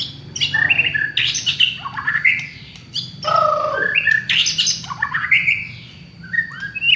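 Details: Village white-rumped shama song used as a lure: rich varied phrases of whistles, rising and falling slurs and harsh squawky notes in quick bursts, with a faint steady hum underneath.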